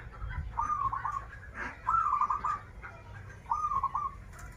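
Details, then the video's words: Zebra dove (local perkutut) cooing in krital and warung kebek styles: three gentle rippling phrases, each a clipped first note then a bubbling trill, about a second apart over low background rumble. "Perkutut lokal gacoran suara krital, warung kebek, dan suara aneh"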